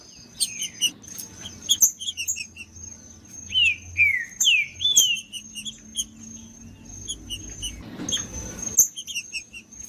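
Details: Rufous-bellied thrush singing in the bush: loud, clear whistled phrases that slur downward, spaced between sharp high chips, over a steady thin high-pitched whine.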